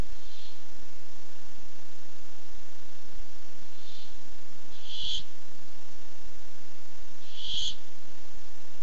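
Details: Barn owl looking for food, recorded 8-7-15, giving faint hisses that build to two louder harsh screeches several seconds apart, with low hum behind.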